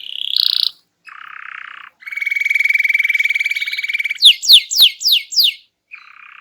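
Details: Energetic canary singing to lure quiet birds into answering, with varied phrases: a short bright note, a soft rasping trill, a long steady buzzy roll, then five quick descending whistled sweeps and a final faint trill.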